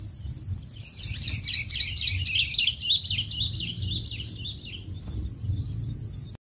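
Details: Long-tailed shrike chicks chattering in a rapid, busy stream of high chirps and squeaky notes, several per second, swelling in the middle, over a low steady hum and a high constant hiss.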